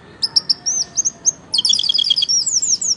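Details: Orange-headed thrush singing vigorously, said to sway as if drunk while in full song: high, thin whistled notes and slurred rising phrases, first spaced, then a dense rapid burst of tangled twittering whistles in the second half.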